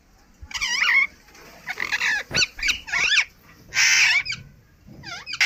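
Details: Indian ringneck parrot kept as a pet, calling naturally in a run of grating squawks and shrill wavering shrieks, uneven in spacing, with a quiet low hum behind.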